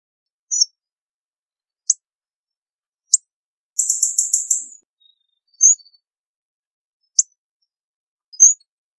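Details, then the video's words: A hawfinch gives sharp, high ticking notes every second or two, with one brief burst of rapid stuttering notes in the middle. "Hawfinch Song! Hawfinch Call! Hawfinch Sound! - Picogordo Común Canto"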